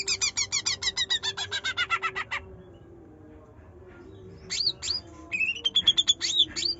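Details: Greater green leafbird song in the trotol, nyerecet and nembak style, used to coax a reluctant bird into singing: a fast run of bright, evenly chattered notes for two seconds, a pause, then swooping whistles and a short trill over a faint low hum.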